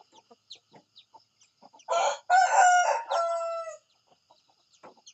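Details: A rooster at morning crows loud and hoarse, in three segments over about two seconds, ending on a drawn-out steady tone. Quiet clucks surround it.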